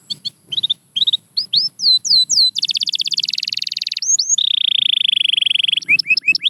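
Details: Canary singing meant to motivate a silent bird: rising whistled slurs, a long rapid rattling trill, then a sustained steady whistle and more quick upswept notes.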